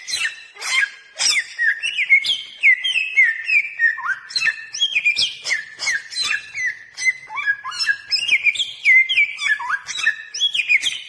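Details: Bare-throated whistler song for calling in birds: a long, busy run of whistled slurs and rapid sharp chips, notes changing pitch almost every half second without pause.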